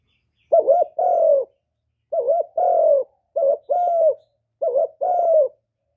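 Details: Spotted dove cooing as a decoy to pull wild doves toward a trapping spot, recorded cleanly. Four evenly spaced doublets: a brief wobbling coo, then a longer, smoothly falling coo.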